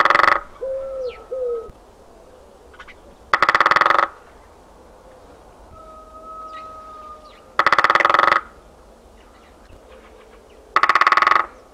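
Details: Great spotted woodpecker drumming in winter countryside on 13 February 2018: four short, rapid rolls of strikes roughly every three to four seconds, with long steady whistled tones from other birds between the bursts.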